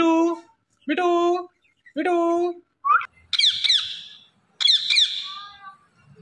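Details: Talking Indian ringneck parrot uttering three clear, voice-like harmonic syllables about a second apart, followed by two bursts of high, raspy, descending chatter in a quiet indoor setting.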